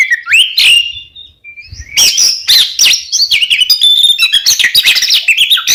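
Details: Lure song of an oriental magpie-robin (kacer) for caged birds: opening swooping whistles and a held note, a brief gap, then an unbroken rush of varied chirps, trills and high twitters.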